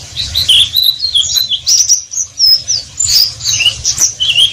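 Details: Oriental white-eye (pleci) in ngeriwik song: a continuous high, sweet twitter of short slurred whistles and chips running in overlapping phrases, bright and hurried, over a faint low hum.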